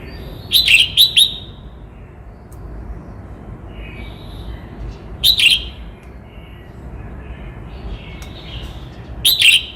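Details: Song of a Cao Bằng red-whiskered bulbul, Vietnam: three brisk, clear warbled phrases spaced several seconds apart, each a tight cluster of quick bubbling notes over soft background chirping.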